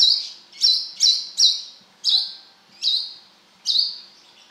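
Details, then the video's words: Brown-throated sunbird, called kolibri kelapa, giving gacor wiceh notes: seven loud, piercing, high chips with buzzy tails. They start quickly, then slow to about one per second. "Suara burung kolibri kelapa gacor beset - wiceh gacor"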